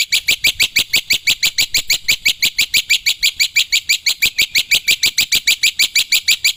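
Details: Wild black-winged myna singing in the energetic 'gacor' style, recorded as a lure for birds. It gives a fast, even run of rasping, high chips, roughly three per second, with no other sound.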